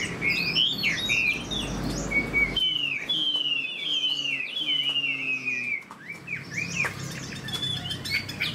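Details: Caged Chinese hwamei, a fan-tailed fighting bird with an eagle-wing display, gives quick chirps, then long sustained wavering whistles lasting several seconds, followed by scattered high notes.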